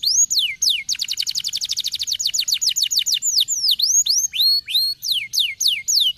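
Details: Stimulating song for lazy canaries: canary delivers a long rapid trill of high repeated notes, followed by varied looping whistled swoops rising and falling, bright and continuous.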